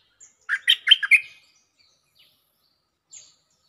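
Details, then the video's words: Stripe-throated bulbul singing a lure phrase: four fast, gurgling whistled notes in a tight cluster, followed by silence with a couple of faint, thin chips. "Suara pikat merbah lekir gacor"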